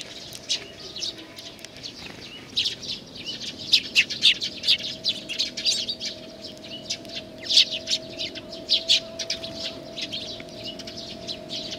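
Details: Young sparrow, Japan, June 2019: a long run of sharp, high chirps, sparse at first then dense and loud, with a steady mechanical hum underneath.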